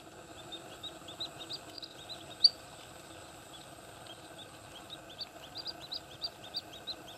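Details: Paddyfield pipit (Anthus rufulus), a resident, giving quick runs of thin, high chips in two bursts over a steady background hum, at Candaba wetlands, Pampanga, Philippines, on 11 September 2009.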